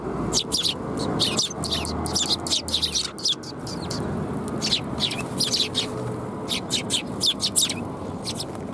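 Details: Sparrows flocking to be fed at a Tenmangu shrine, 28 January 2021, give lively, overlapping high chirps in bursts with brief pauses, dominating a soft low background.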